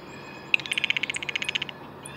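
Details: One blue jay burst of around fifteen rapid, harsh clicks over a second, opening with a sharp accented note; a brief high chirp follows amid soft background hiss.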